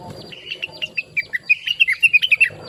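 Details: Blue-winged leafbird singing chattily and melodiously for training other songbirds. Spaced chirps quicken into a rapid, rising and falling twitter of clear notes.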